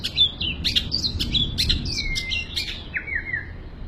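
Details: Full isian song of a long-tailed shrike, rich in varied phrases: quick high chirps and sharp clicks giving way to a drawn-out falling whistle and a wavering descending trill, low rumble underneath.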